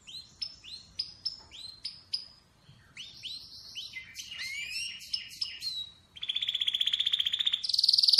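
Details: Atlantic canary with a series of sharp upward-flicked chirps repeated about once every half second, then jumbled sweeping notes and a loud fast buzzy trill; light background hiss.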